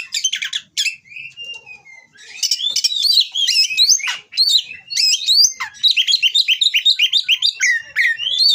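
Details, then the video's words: Mating Oriental magpie-robin from a breeding farm singing harsh, rival-provoking material: a dense, varied run of high whistled slurs, sharp chirps and rapid rising and falling notes, delivered almost without pause after a brief opening gap. "Burung Kacer Kawin Bongkar Materi Kasar Bikin Lawan Langsung Emosi"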